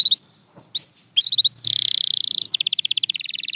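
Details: Canary song used to get quiet canaries singing: scattered short chirps, then a fast buzzy trill followed by a slower rolling pulsed trill.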